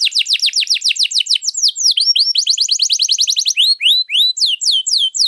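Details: {'caption': "Canary singing a long 'luxurious' song meant to train or draw out other birds: a rapid series of steep downward-sweeping whistles, a quick rolling trill, then spaced, rising slurred notes."}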